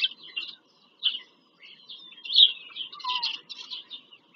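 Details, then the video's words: Bald eagle visiting its Pennsylvania farmland nest, captured by a live nest camera on 5 February 2023. Isolated high chirps build into a louder stretch of quick piping chatter near the middle, then trail off. "bieliki - wizyta w gnieździe"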